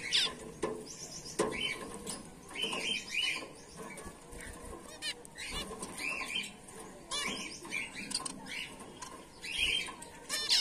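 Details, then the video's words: A colony of male and female white Bengalese (society) finches gives a steady stream of high, thin chirps and short buzzy notes from several birds at once, with soft wing flutters and a faint hum behind. "bengali finch | white finch | finch bird colony"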